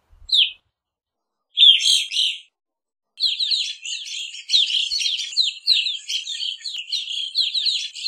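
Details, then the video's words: Evening grosbeak sounds: a single short chirp, then a louder double burst of chirps, followed by a continuous run of rapid, overlapping twittering notes, possibly several birds calling together. "Evening Grosbeak Singing, Grosbeak Calling - Pepitero Norteño Canto"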